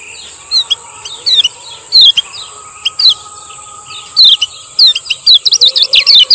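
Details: Male lemon-bellied white-eye from Lombok, used as a training and lure song for silent birds. Brief high, sharp chirps and quick rising-falling notes come in scattered bursts, ending in a rapid run of twittering notes over a steady high background hiss.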